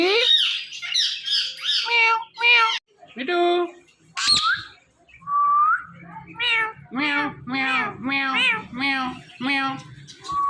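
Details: Pet ringneck parrot imitating a cat's meow at a phone: a string of harsh, harmonic meow-like calls, one squawk and a short slurred whistle, then a steady run of about seven mewing notes roughly every half second.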